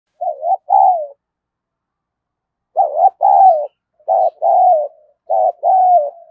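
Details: Spotted dove decoy bird with a 'hạp bổi' voice, calling to provoke fighting: three paired coo phrases, each a short note then a longer, falling, husky coo, spaced irregularly with a long pause after the first.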